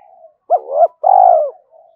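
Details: Spotted dove cooing in the thúc and gáy gọi styles, played daily to excite decoy doves: a short hooked note, a swelling second note, then a long, level, mellow coo sliding down at the end, with faint low coos around it.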